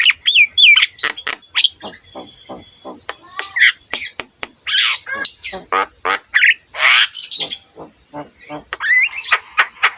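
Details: Noisy Javan myna song meant for teaching other mynas: loud harsh squawks alternate with rattling notes and upslurred whistles, repeated in quick jerky phrases.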